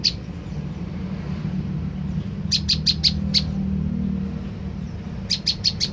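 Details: Played to goad an olive-backed tailorbird into replying: one chirp, a long gap, a burst of five high sharp chirps, then four more at the end, over steady low rumble.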